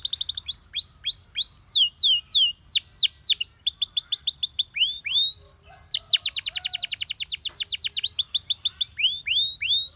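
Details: Canary song used for training canaries to sing: continuous rapid series of high, swooping whistled notes alternating with fast buzzy trills, each phrase repeated several times, loud and clear throughout.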